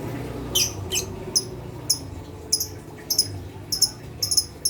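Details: Lovebird provoking call meant to make mute lovebirds noisy and agitated: bright high chirps, sometimes in quick pairs, spaced irregularly through the clip over faint low hum.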